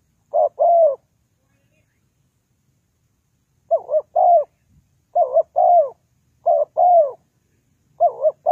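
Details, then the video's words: Spotted dove calls used as a trapping lure: five paired cooing phrases, a short dipping coo then a longer falling one, after a long silent pause at the start; clean recording with no other sounds. "The Sound Of Spotted Dove is very good"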